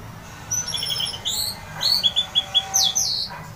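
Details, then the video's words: An orange-headed thrush sings loudly and openly, giving a varied phrase of high whistles and quick repeated chirps that rise and fall, with a faint hum underneath. "ngeplong keras anis merah"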